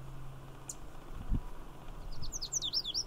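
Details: A male Lazuli Bunting, hanging on poison hemlock in Magnuson Park with another male and a female nearby, sings a quick run of high, sweet, slurred notes rising and falling near the end over wind rumble; a Savannah Sparrow chips nearby.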